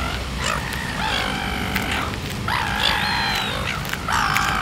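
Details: Red-billed gull (Larus novaehollandiae) in New Zealand giving harsh, nasal squawks, about four drawn-out calls in quick succession over a low background rumble.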